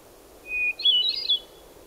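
A Hermit Thrush gives one song phrase: a steady, pure opening whistle, then a quick, higher run of flutey notes that rise and fall. The background is quiet.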